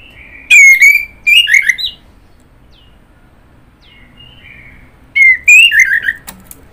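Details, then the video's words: Orange-headed thrush singing: two loud bursts of clear whistled phrases around the middle pitch range, each a slurred note followed by rapid warbled notes, separated by a quiet pause with faint distant notes. "Kicauan Burung Anis Merah"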